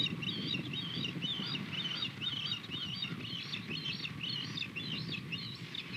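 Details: Osprey calling during a morning fish delivery from male to female, 21 February 2020; a steady run of high, wavering chirps about two per second, with low broadband background rumble.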